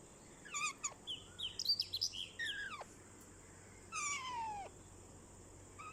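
A rose-ringed parakeet talks in short, squeaky, speech-like phrases with quick gliding and falling notes, against a steady faint hiss.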